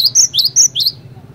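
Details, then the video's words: Cinereous tit (glatik batu) singing to draw responses from other tits: five loud, piercing high whistled notes in quick succession, alternating flat and bending shapes, fading into a low background hum. "PANCINGAN BURUNG GLATIK BATU GACOR INI ASLI BIKIN GLATIK BATU LAIN LANGSUNG IKUT BUNYI"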